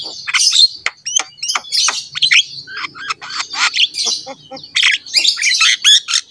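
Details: Lively black-winged myna song, meant to make other mynas sing: dense scratchy chatter and harsh buzzy squawks, interspersed with short high whistles, flowing almost without pause.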